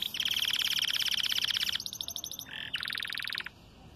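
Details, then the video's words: Red frosted canary at the start of moult, singing without doubling: a long loud rolling trill of rapid notes, a shift to a higher buzzier trill, a short low note, then another dense fast roll. "VERMELHO NEVADO, CANTANDO"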